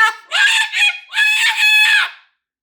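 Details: A pet Moluccan cockatoo indoors, prompted to show a meltdown, lets out loud, harsh, harmonic-rich screams in three bursts. The last is the longest. The screams stop abruptly, leaving silence.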